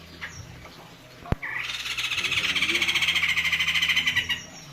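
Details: White-crested laughingthrush, a caged bird said to have a thick voice, gives a sharp click then a rising note leading into a fast, harsh, pulsing chatter lasting about three seconds, rapid beats repeated evenly before cutting off.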